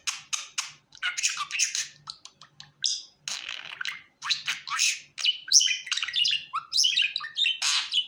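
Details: Happy pet budgerigar warbling: fast clicks and ticks run into bright, buzzy chirps and rising and falling whistled notes in an unbroken chatter, over a quiet low hum.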